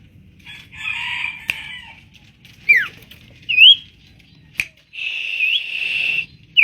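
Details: Tame common iora, known locally as sirtu or cipo, singing energetically: long sustained warbled notes alternate with sharp, slurred whistles that sweep up or down, separated by short pauses, with a low background rumble.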